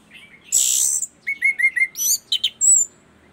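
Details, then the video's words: Ground thrush from East Nusa Tenggara, Indonesia, singing actively after getting used to the camera. A varied phrase of high whistles: a loud sustained note, a quick run of short rising slurs, then buzzy and piercing notes ending in a thin whistle. "punglor gacor asyik"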